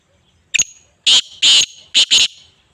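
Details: Black francolin, known locally as kala tetar, calling for bird training: a loud, harsh, grating phrase of one short note, a pause, then four rasping strident notes in quick succession, in quiet surroundings.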